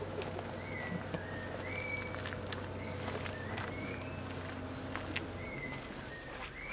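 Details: Male Blue-rumped parrot feeding on a starfruit in forest in Singapore, giving thin, rising whistled notes about once a second, soft against a steady high insect drone and low background hum.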